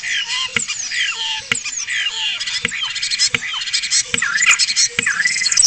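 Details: Spotless starling male singing at a webcam in Cabañeros National Park, Spain: a dense, varied medley of whistled slurs, falling whistles and buzzy, mechanical-sounding notes, with regular sharp clicks roughly every second throughout.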